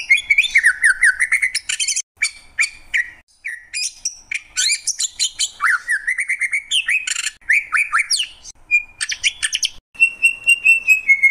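A greater green leafbird sings a rich, nonstop medley of sweet whistles, rapid chatters and slurred rising and falling notes, ending on a long buzzy trill.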